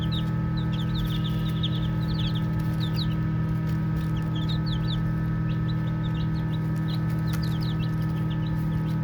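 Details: High peeping from several playing baby chicks arrives in clustered flurries of short downward-slurred notes, separated by brief lulls, with a steady low drone underneath.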